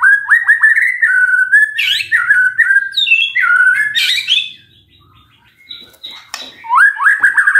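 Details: Magpie-robin singing as a lure meant to make a silent bird reply: long, continuous, fluty whistled phrases with rising and falling slurs, a brief quiet gap, then fast upward notes.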